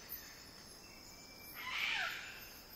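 Wilson's bird-of-paradise gives a single harsh, buzzy note that sweeps downward, over a steady high drone of insects.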